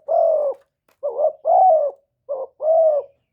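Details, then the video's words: Decoy spotted dove calling in a one-ending style to draw in wild doves; mellow low coos, a brief wobbly note followed by a drawn-out, evenly held hoot, in a clean, quiet recording. "TIẾNG CHIM CU GÁY 1 HẬU RÒNG BỔI CỰC GHÉT, CU GÁY KÍCH BỔI CỰC CHẤT, TIẾNG TIẾNG CHIM MỒI"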